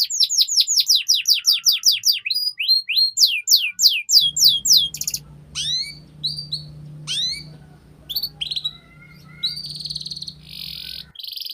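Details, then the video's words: Canary master song for training young birds: a fast run of descending-rising whistled sweeps about two per second, then scattered upslurred chirps and buzzy trills over a steady low hum. "PANCINGAN Kenari PAUD Agar Cepat Bunyi || MASTERAN Burung KENARI Gacor Panjang"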